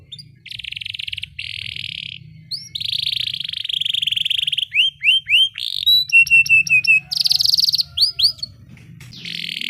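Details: Canary rolling song used as training playback to prompt quiet canaries to sing: buzzy sustained trills alternate with rising whistled slurs, rapid repeated chips and clipped notes, ending in another dense roll.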